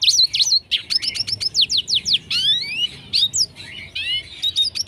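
A red siskin sings a fast, high twittering song of sharp chirps, slurred rising whistles and brief buzzy trills in quick bursts, with no other sounds.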